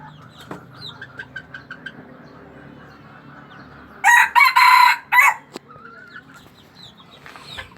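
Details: Junglefowl kept at a captive breeding site in Aceh, Indonesia, delivers a single loud, rasping crow in four segments after a few seconds of faint clucks and chirps. Soft calls resume afterwards.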